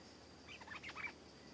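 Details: Stripe-throated bulbul in a garden, a short bubbly phrase of quick rising and falling whistled notes lasting about half a second, with a steady high hiss in the background.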